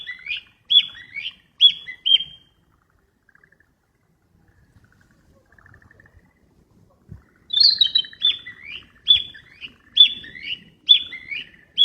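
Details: Wild flycatcher giving bursts of high, clear downslurred whistles, a handful at the start, a quiet pause with a faint low knock, then a longer rapid series of repeated whistled notes.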